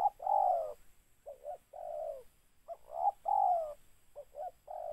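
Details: Tekukur, the spotted dove, during bird catching with a decoy: a long falling coo, a couple of short notes, then another long coo, repeated twice in a husky mid-pitched rhythm.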